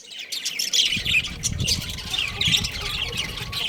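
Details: Budgerigar breeding pair, a family of budgies, giving a fast scratchy chatter of short squawks and chirps that rises in bursts, with a low rumble beneath.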